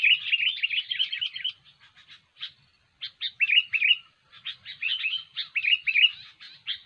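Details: A kutilang, the sooty-headed bulbul, sings vigorously for use as a trapping lure. Dense bubbly phrases of quick, slurred chirps are broken by short pauses and scattered clipped notes.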